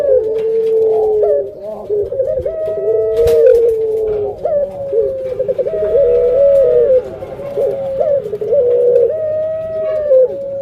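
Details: Indoor pet puter pelung hen near egg-laying, cooing in a steady chain of sustained mid-pitched notes with stuttering onsets, repeated roughly every three seconds, with a brief knock partway through.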